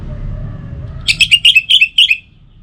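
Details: Orange-headed thrush song, a lure to make birds sing in the morning and evening: a short fast phrase of about seven bright, slightly buzzy whistled notes in even rhythm, faint hum before it.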